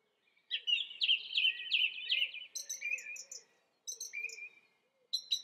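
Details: Song thrush repeating a short motif about five times, then high chipping notes in groups, a whistled phrase and more high notes, with clear pauses between phrases.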